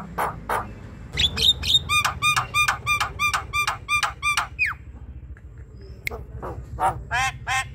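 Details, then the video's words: Javan myna (jalak kebo) vocalizing, played to coax a reluctant bird into singing: a steady, rapid series of nasal, squawky notes repeated about three times a second, framed by harsh chattering bursts over a low background rumble. "Buka an ngotot pancingan jalak kebo mager"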